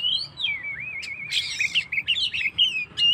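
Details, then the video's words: Oriental magpie-robin 'gacor' song for rousing stressed birds: a long wavering whistle glides on, then quick chattering trills and short looping notes follow, over low background hum. "suara burung Kacer gacor// naikan emosi//pancingan burung stress"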